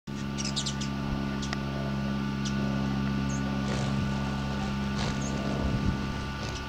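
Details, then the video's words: Very close-up hummingbird at a feeder: its wings give a steady, low droning buzz, broken now and then by brief, thin, high chips. "Close-up Wing Flapping Hummingbird Sounds"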